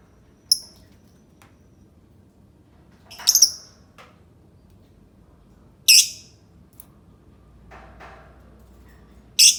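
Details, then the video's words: Irregular high lovebird calls roughly every two to three seconds: brief shrill squeaks, one stuttering rapid burst, with low background rumble between them. "Suara Burung Lovebird"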